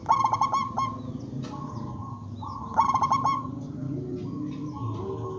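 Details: Local zebra dove (perkutut), a highly vocal bird used as a lure to make other zebra doves answer: a stuttering burst of quick cooing notes running into a long steady coo, repeated twice, with low background rumble.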